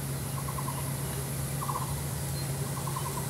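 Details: Female lesser coucal with white spots on its neck, tail raised, seen from a window on 26 June 2023, calling three quick bursts of five or six hollow, mid-pitched notes about a second apart, over low hum.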